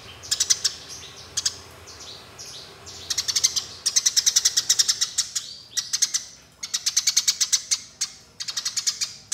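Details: Eurasian tree sparrows fighting: rapid bursts of sharp, high chirps in quick rolling series, several bursts over a few seconds, with a faint background hum.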